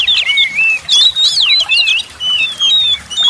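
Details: Oriental magpie-robin singing, used to rouse lazy birds: loud, bright whistled phrases with sweeping and wavering notes, some harsh bursts, delivered in short bouts separated by brief pauses.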